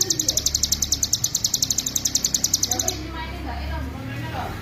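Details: Ngebren song of a hill prinia, made as master material for training songbirds: rapid high-pitched ticking notes in a steady run that stops abruptly after three seconds, leaving a low hum and faint murmuring.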